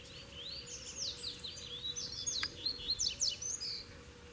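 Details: Wild Double-collared seedeater defending its territory beside a caged bird: a quick run of high, sharply rising and falling twittered notes lasting about three seconds, with a single click partway through.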